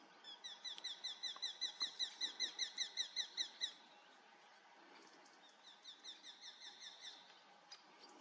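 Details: Eurasian hobby on a foggy morning, 7 August 2024, giving a clear burst of about fourteen sharp, ringing notes in three and a half seconds. A shorter, fainter series follows after a brief gap.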